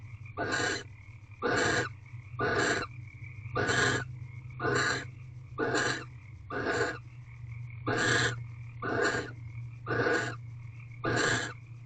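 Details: Pre-dawn mating calls of barn owls in an owl box, recorded at 5:19 am on 9 March 2023: a long regular series of eleven rasping, hissing bursts, about one per second, with a constant low electrical hum beneath.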